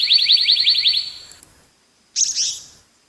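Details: Black-naped monarch giving a rapid run of about fourteen quick, downslurred ringing notes over little more than a second, followed after a pause by a brief harsh, rasping burst.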